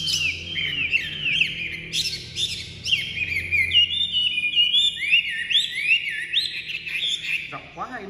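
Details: Caged Chinese hwamei, a bird the keeper ties to the mountain forests of northwest Vietnam, singing nonstop just after leaving its covered cage. It pours out loud, rich whistled phrases of quick slurred notes that rise and fall, over a faint low hum.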